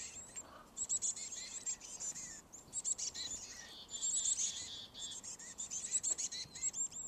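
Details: Black-capped Chickadee chicks in a garage-mounted birdhouse, at least two, begging as the parent pair brings food: dense, high-pitched chatter of thin squeaky calls in rapid overlapping bursts, rising and falling in intensity.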